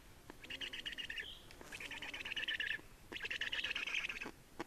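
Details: Black storks feeding and changing over at an Estonian nest, 30 May 2019; three grating, buzzy bursts about a second long, the first ending in a short whistled slur.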